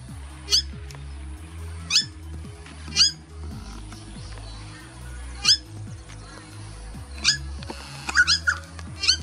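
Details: Purple Swamphen family in Australia, 10 March 2021, alarming their teenage chicks and others about a nearby Red-bellied Black Snake. Short, sharp, high squawks come singly at uneven intervals of one to two seconds, ending in a quick cluster, over soft background music.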